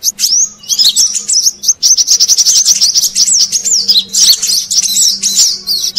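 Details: Brown-throated sunbird call used as a lure for wild birds: dense, high, rapid twittering with thin whistled slurs and trills running almost without pause, plus a faint low steady hum underneath.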